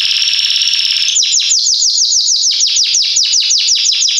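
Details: Belgian canary in full loud song, used to teach young birds to sing; a rolling buzzy trill gives way to a steady string of sharp downward sweeps, about three per second.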